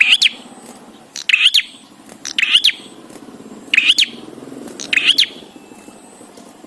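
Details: Bar-winged prinia in loud, steady song, played to prompt other prinias to sing: harsh, buzzy bursts with sharp clicking notes, repeated about every 1.2 seconds. A faint low hum runs underneath.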